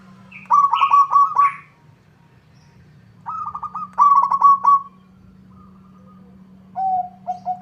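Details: Zebra dove of local type singing eagerly so a rival will answer: two rolling trilled coos about three seconds apart, each a buzzy vibrating phrase, then a few short lower coos at the end. A low steady hum continues throughout.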